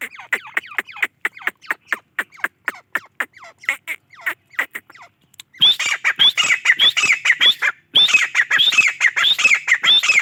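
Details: Grey francolin: a long even series of short, clipped, falling notes, then from about five and a half seconds a dense, loud chorus of harsh squawks with rising whistled starts, repeated rapidly.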